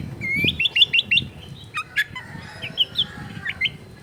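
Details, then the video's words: Long-tailed shrike (cendet) song recorded at home in a crowded neighbourhood: a quick run of five rising whistled notes, then sharp chips and short squeaky phrases over low-pitched background rumble. "CENDET GACOR FULL ISIAN MEWAH"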